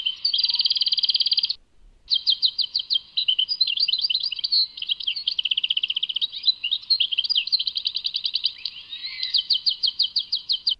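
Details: Tadmait European goldfinch singing. A rapid trill opens and breaks off briefly. A long flow of liquid twitters and chattering notes follows, broken by several stretches of quick, regular rattling trills. The background is quiet.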